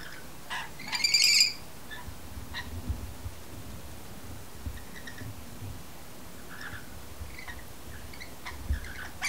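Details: A mating pair of rainbow lorikeets on a window sill just before sunset, bonding by regurgitating food for each other: one harsh, buzzy screech lasting about half a second, then scattered soft squeaky chirps over a low background rumble.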